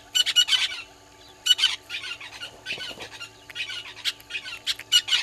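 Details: Southern red-billed hornbills at Gowrie dam on Djuma Game Reserve, South Africa, morning: loud, harsh clucking phrases in short bursts roughly every one to one and a half seconds, with a faint low rustle between phrases.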